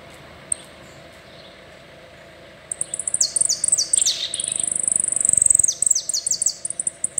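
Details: A full "el rollo" song from a saffron finch: after a quiet start, high descending slurred notes tumble rapidly into a long, steady, sizzling trill, then more falling notes close the phrase.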